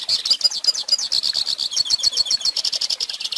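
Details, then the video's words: A hooded siskin sings for young birds to copy, producing a dense, lively chatter of high chirps and short trills delivered in quick, uneven succession. "Pintassilgo Cantando Ensine Filhotes!!!"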